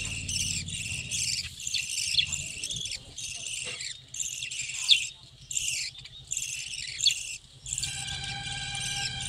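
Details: Budgerigars in a breeding colony hut keep up dense, scratchy high chattering in overlapping bursts, with a low steady hum underneath and a thin tonal whine near the end.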